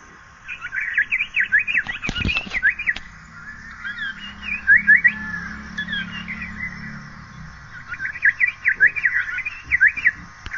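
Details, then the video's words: Asian paradise flycatcher calling: three bursts of quick, bright whistled notes, each a few seconds long, with a sharp knock early on and a faint low hum. "Asian paradise flycatcher call"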